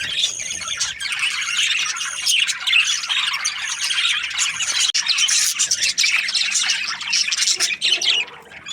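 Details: Australian budgerigars chattering: high, buzzy warbles and sharp chirps overlap in a thick, ongoing stream, with short quieter gaps around the fifth and eighth seconds.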